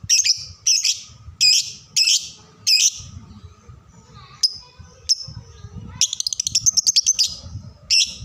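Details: Lovebird song model for young birds: a steady series of loud high chirp bursts, a few thin single notes, then a rapid rattling trill and a final chirp, with low rumble beneath.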